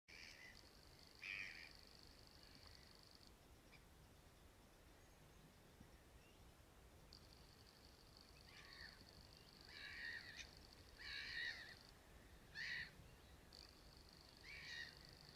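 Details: Young Eurasian spoonbills on the nest at the Beuven, Netherlands, 4 July 2017, give harsh, raspy, wheezing calls in short bursts, some doubled, over a steady high background hiss.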